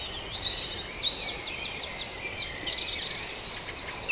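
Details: Dense high chirping and trilling from several birds in a Farndale dawn chorus, fairly soft and continuous against background noise.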